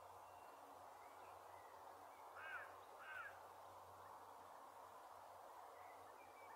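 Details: Two common greenshanks, one joined by another, at a local nature reserve in Milton Keynes, UK; typical call, two brief ringing slightly downslurred notes half a second apart, over rushing wind or water.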